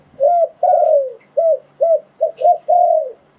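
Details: Spotted dove cooing, a sound used to lure wild doves for trapping: seven mellow, low hooted coo notes in quick series, some short and clipped, two longer and slightly falling, with near silence between.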